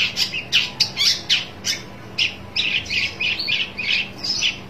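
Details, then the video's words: Long-tailed shrike seeking a rival, with loud scratchy squawks in a steady run, several notes each second, broad and noisy in tone, over a soft background hum. "burung pentet cari lawan"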